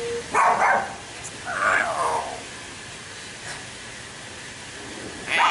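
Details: A young common hill myna learning to talk gives three hoarse, speech-like phrases such as "super", two close together and one at the end, with faint room noise between.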